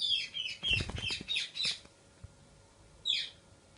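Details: Parrot kept as a pet, let out of its cage, giving a run of high, shrill squawks mixed with rustling and clattering. After a short silence a single sharp squawk follows.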